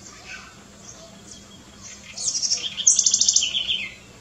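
A house wren bursts into a quick, bubbling song of high, rapid notes lasting about two seconds, tumbling downward at the end after a quiet start.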